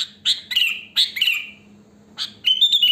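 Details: Wild sooty-headed bulbul singing naturally, a pure song with no other birds mixed in, used to lure bulbuls: sharp chirps followed by bubbly, slurred descending phrases, in two bursts separated by a short pause, with a faint low hum behind.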